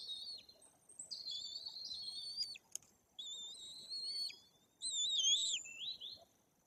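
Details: White-tailed eagle chicks nearly three weeks old at a Polish forest nest in Bory Tucholskie during feeding by their parents; long piercing whistled squeals in three bursts, wavering and sliding, the last rising then dropping.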